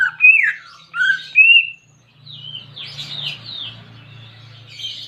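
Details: Greater green leafbird (cucak ijo) kept as a pet, song played as therapy to get a silent bird singing: loud whistled slurred phrases, some falling, then quieter buzzy warbling with a low hum beneath.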